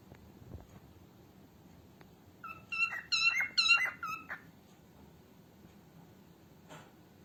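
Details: Female cockatiel, for training cockatiels: one dense burst of about eight fast, harmonic chattering notes lasting under two seconds, otherwise near silence with a faint click near the end.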